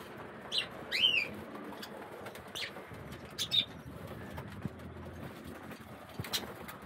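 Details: Bathing budgies compete for a turn in the water; a few quick, bright chirps come early and again midway, with soft splashing and rustling in between.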